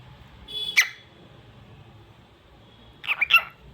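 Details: Indoor pet cockatiel producing a short squawky chirp with a faint whistled tone before it, followed after a gap by a fast run of three clipped chirps.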